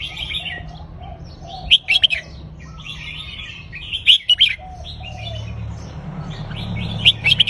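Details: Red-whiskered bulbul kept in a cage, delivering counted-phrase song on a loop. Sharp whistled bursts come about every two and a half seconds over continuous soft warbling and a low background hum.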